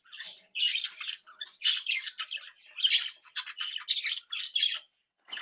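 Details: Budgerigar flock of captive-bred, happy, active, playful birds, chattering and warbling: dense bursts of scratchy squawks and bright chirps at high pitch, nearly continuous with brief gaps, indoors.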